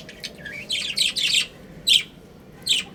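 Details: Breeding pair of budgies gives a short rising squeak, then a dense burst of harsh chatter and two loud sharp chirps, each set apart by brief quiet.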